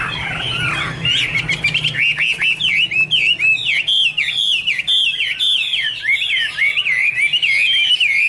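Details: Song of a Chinese hwamei from 2017: a long rising slurred opening note, then a steady run of looping whistled notes repeated a few times per second, clear and ringing over a low background hum.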